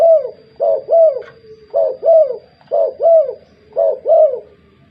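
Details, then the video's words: Blorok-type spotted dove in full voice, giving low soft coos in close pairs and short groups, with brief gaps between phrases and a thin steady high-pitched hum behind. "TEKUKUR BLOROK GACOR MENGUKU"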